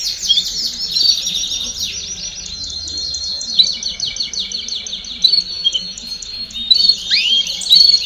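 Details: Chorus of canaries singing together, used to stimulate young birds to sing faster: dense overlapping high trills and rapid chirped notes run without pause. Bright whistled accents and one sharp downward-sweeping note near the end.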